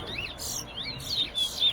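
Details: Large-billed Seed-Finch (towa towa), a caged bird in a whistling competition at a bird ground in Guyana, sings a quick run of clear, slurred whistles that rise and fall, with a few sharper pure notes toward the end; faint background murmur.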